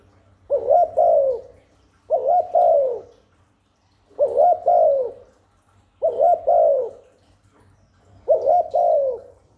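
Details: Spotted dove giving lure coos for wild doves and newly kept birds: five hollow two-part phrases spaced about two seconds apart, a quick note then a longer falling coo, with little else heard.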